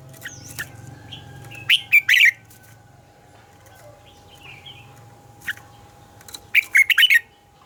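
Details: Red-whiskered bulbul giving its morning song, a double-note style likened to a mature wild bird. Quick warbled phrases of three to five notes come about five seconds apart, with faint softer chirps between them.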